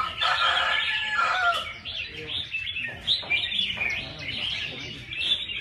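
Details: At a bird singing contest, red-whiskered bulbuls give lively, bubbling whistled phrases and short rising notes, several singers overlapping, with faint human voices behind them.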